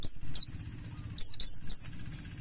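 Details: Lure song of a mountain white-eye, Buxtoni form, 'ngalas' style: quick high whistled chirps, each sliding downward, delivered in two quick groups over a low steady drone.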